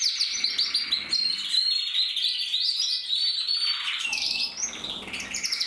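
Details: Male red-black crested canary from the 2024 breeding year, pouring out fast warbling phrases that shift into a looser, sweeping run of higher chirps toward the end.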